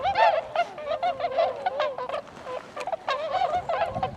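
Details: Tundra swans filmed on 26 February 2012: rapid, overlapping honks and bugling notes from several birds, each call short and nasal with strong harmonics, in quick succession.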